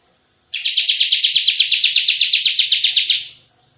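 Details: Bar-winged prinia singing vigorously in the tembakan style, used for bird luring and tutoring: one rapid buzzy trill of about twenty sharp, evenly pulsed notes lasting nearly three seconds, then silence.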